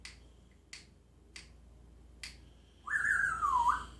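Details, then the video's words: Pet parrot kept for sale in Jeddah, with a clear whistled note sliding down then up after four sharp snapping clicks. "ببغاء يغنى - Parrot sings"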